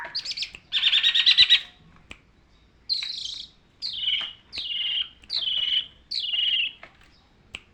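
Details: Tutor song of a long-tailed shrike for training birds: an opening rapid rattling buzz, then a steady series of five harsh, downslurred notes, each under a second, repeated at even intervals.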